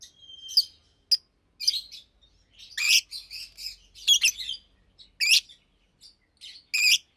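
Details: Daytime song of two caged Fischer's lovebirds, blue and pastel green: irregular sharp high chirps about once a second, some in quick chattering runs, starting with a thin whistled note.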